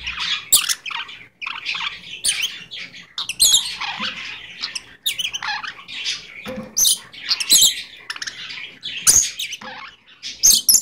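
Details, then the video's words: A pet Goldie's lorikeet chatters in high, scratchy bursts and squawks, saying 'give me a kiss' between shrill chirps. "Talking Goldies Lorikeet"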